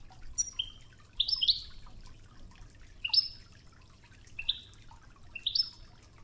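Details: Goldfinch (European) singing in Wedani style on a 'Toughza' training recording mixed with river water: sparse high chirps and short twittered pairs roughly every second, a quiet water murmur underneath.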